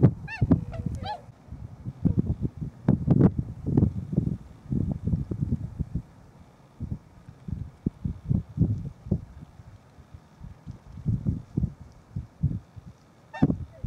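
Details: Tundra swans (Cygnus columbianus) in a small flock at Nonaka, Toyama City, Japan, around midday on 13 December 2011. They give a brief burst of nasal, bugling honks at the start and one near the end, with low thumps and rumbling between.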